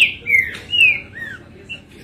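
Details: A captive male green-winged saltator (Saltator similis), recently taken off the flight cage, sings loud, clear whistled phrases, some slurring downward, in quick bursts with short pauses on 22 April; a man talks faintly behind.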